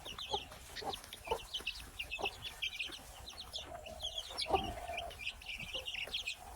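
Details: Chorus of baby chicks giving thin, high, rapidly repeated peeps, overlapping continuously, with occasional lower clucks.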